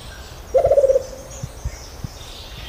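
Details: Rufous-capped motmot (Momotidae), known locally as juruva, giving one low, hollow, tremulous hoot, a quick quavering run of about eight pulses lasting half a second, then trailing off. Faint thumps sound in the background.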